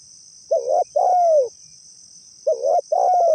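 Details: Spotted dove lure call for attracting wild doves to a trap: a warbling coo and a long downward-sliding coo, given twice, over a persistent high-pitched whine.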